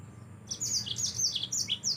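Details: Energetic yellow-fronted canary song intended as a training recording for other songbirds: quick, high, sweet chirps and downslurred twitters repeated in a lively, continuous stream over a faint low hum.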